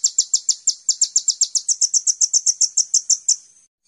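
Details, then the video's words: Sunbird called kolibri ninja, recorded as a lure to get caged birds singing: one continuous, very fast trill of high, even chips, nearly two per second faster than a heartbeat, fading out at the close. "Pancingan Konin Full Gacor"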